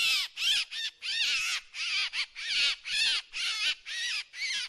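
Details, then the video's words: Drongo, recorded as a decoy sound: grating, squealy notes delivered in an irregular string, about eight calls, with a couple of brief notes doubled close together. "เสียงนกแชงแชว ສຽງນົກແຊວ ສຽງຕໍ່"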